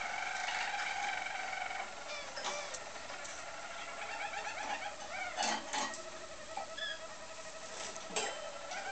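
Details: Roller canaries singing, recorded in 2010: continuous rolling trills and warbled phrases, rapid pulsed notes repeated about four times a second, with sharp chirps interspersed and a steady low background hum.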